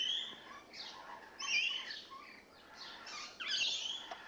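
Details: Rainbow lorikeets settled in as of today, chattering with rough, shrill squawks in irregular bursts, a couple of birds answering one another.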